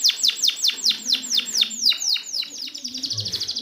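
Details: Canary song from a training recording for canaries that have stopped singing: fast series of bright descending sweeps repeated about five times a second, shifting into a quicker rattled trill near the end.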